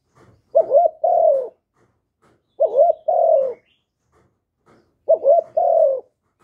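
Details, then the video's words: Vietnamese spotted dove cooing to stimulate newly caught birds, clean live recording; three phrases roughly every two seconds, each a rapid two-part coo then a longer mellow downslurred note. "Chim Cu Gáy GỌI+THÚC+GÙ bài bản giúp bổi nhanh nổi, tiếng chim cu gáy việt hay"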